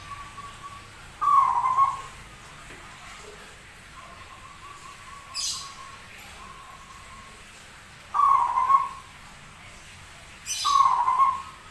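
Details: Zebra dove with an unusual voice, rare yet singing a lot; three dipping whistled coos spread over the span, with fainter flat whistled tones between them and occasional brief hissing bursts.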